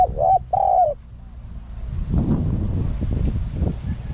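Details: Spotted dove used as a lure for wild doves: one brief phrase of a short coo and a longer mellow falling coo, then broadband rustling and knocking noise for the rest.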